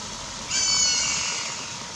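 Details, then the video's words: A Black caracara in Mato Grosso, Brazil, recorded in May 2021 at Pousada Jardim da Amazônia: a single harsh, nasal scream about one second long, with a faint hiss of background noise. "Gavião-de-anta (Daptrius ater) vocalizando"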